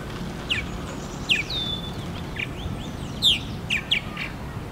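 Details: A single Purple Martin calls at a Purple Martin house at FortWhyte Alive, Winnipeg, Manitoba, in July 2022: short throaty chirps and gurgling notes at irregular intervals with a brief whistled slur, over a steady low background rumble.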